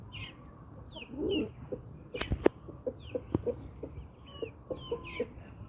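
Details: Pet Brahma hens and roosters: a brief throaty grumble, then a run of sharp, low clucks spaced roughly half a second apart, with high twittering chirps overhead.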